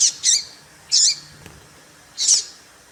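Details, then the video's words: Papa-capim (seedeater) female giving calls to provoke males: four high, squeaky chirps, the first two close together, then a gap and a longer final note, over light hiss. "Piado de Fêmea de Papa capim pra Esquenta papa capim"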